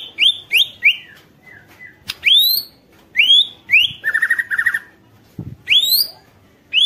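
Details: Song of a white-rumped shama, played to goad other shamas to sing: varied rising whistles and slurred notes, a brief rapid trill in the middle, harsh clicks between phrases.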